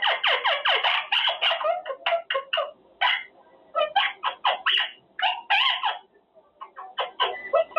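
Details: Caged pet Quaker parrot practicing his words, dense raspy chattering and speech-like phrases with short pauses, syllables delivered several per second.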